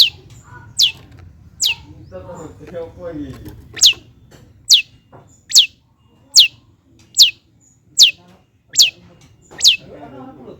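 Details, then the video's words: Long-tailed shrike (cendet) lure song, meant to provoke lazy shrikes into singing and showing their repertoire: sharp, high, downward-sweeping chirps repeated steadily about once every 0.8 seconds over a faint low hum. "PANCINGAN CENDET MALAS BUNYI AGAR GACOR BONGKAR ISIAN"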